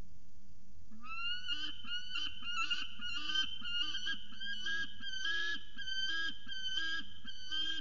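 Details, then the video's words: Peregrine falcon calling at length: a long run of loud, harsh, grating notes given rapidly, more than once per second, each slightly rising, over a low background hum. "Peregrine Falcon Little Budhin Has A Lot To Say"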